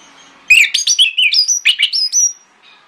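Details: Orange-headed thrush in the morning, its song used to lure others into answering. After a brief quiet moment comes a fast, varied phrase of whistled slurs and chirps, ending on a high, drawn-out whistle.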